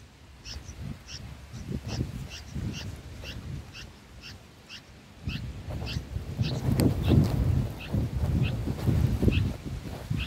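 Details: Six-day-old bulbul chicks fed lizard eggs in the nest give a steady series of thin, high chirps, roughly two or three per second, growing busier midway as louder low thumping and rustling join in.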